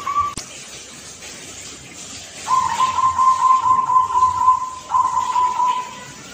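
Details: Young Blora zebra dove whose song ends with a 'kung' note, rendered 'klar ke te kung'. After a brief opening note, two long, even, mid-pitched coos follow, the first about two and a half seconds long.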